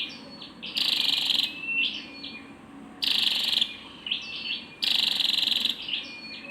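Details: Female Scarlet-backed flowerpecker giving harsh, buzzy bursts about three times in six seconds, each broad and rasping, with short chirpy notes and a thin steady high tone between them.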